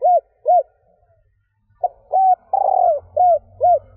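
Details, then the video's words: Female spotted dove's stammering coo, used to excite males: two arched notes close a phrase, then a short note, level coo, long trilled note and two arched coos, with low humming beneath. "Tiếng cu gáy mái gù gáy kích bổi nhanh gáy / Chim cu gáy mái 3 hậu gù cà lăm / cu mái kích bổi"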